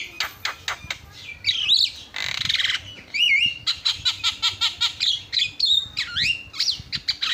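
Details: Javan myna (jalak kebo) in vigorous song meant for training other birds: harsh squawks, a buzzy rasp, swooping whistled slurs and a run of rapid evenly repeated clicks.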